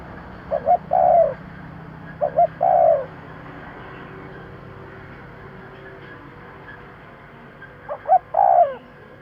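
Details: Spotted dove call used as a lure to draw wild birds quickly: three phrases of two short soft coos and a longer, deeper, falling coo, separated by gaps, over low steady background hum.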